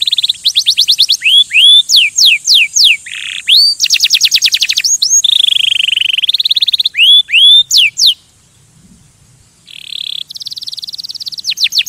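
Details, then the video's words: Canary song meant to stimulate other birds, mixing fast high trills, repeated swooping whistles and a sustained buzzy note, broken by a short pause near the end before the trilling resumes. "Kanarienvogel singt um Vögel zu stimulieren"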